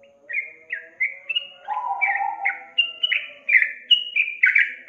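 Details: Lure recording of a yellow-vented bulbul, meant to get an untrained young bird singing: lively chattering whistles in quick succession, with a lower warbled phrase partway through.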